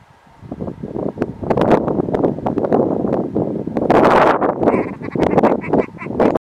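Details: A Scottish red grouse gives hoarse, croaking cackles in a rough, stuttering run, set against a steady rush of wind or rustling.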